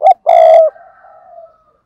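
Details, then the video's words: Decoy spotted dove giving a short note followed by a long, loud, steady coo that fades into a soft, slowly falling trailing tone. "chim cu gáy mồi cây"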